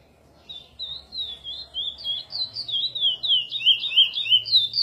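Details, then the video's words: Chestnut-bellied seed finch (curió) singing the praia song style, edited for encarte tutoring: after half a second of quiet, a continuous run of clear, high, sliding whistled notes, warbling up and down and growing louder toward the end. "Curió Mineirinho Edição para encarte praia"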